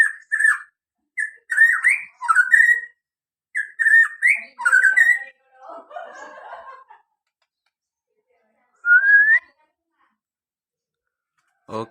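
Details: White-rumped shama recorded in Bodas village, Karangjati, Rembang district, Purbalingga, Central Java, singing loud whistled phrases that rise and twist, interspersed with buzzy, rattling notes, a burst of softer scratchy chatter, pauses, then one long rising whistle.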